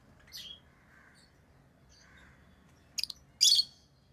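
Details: Lovebirds chirping: a shrill, high chirp, then a quiet pause with soft murmurs, and a double sharp note followed by a louder harsh, buzzy squawk near the end.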